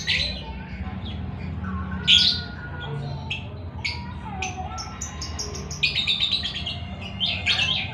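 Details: Lovebird in ngekek song: sharp high chattering bursts and squeaky chirps, with a dense trilled rattle near the end and a low steady hum beneath.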